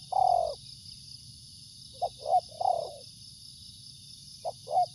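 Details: Spotted dove, locally called tekukur, calling: one longer low coo, then short hollow cooing notes in a stuttering group and another pair near the end, over a steady high electronic whine.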